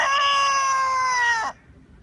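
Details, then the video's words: Free-range rooster on a farm ending a crow with a long, steady, loud tonal note of about one and a half seconds that falls slightly at its close, then silence. "galo caipira cantando"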